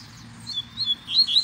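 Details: Wild double-collared seedeater singing in the field, one nearby and a second singing further back, the recordist standing between two territories: a brief run of thin, high, sweet whistled notes rising and twisting, growing louder toward the end.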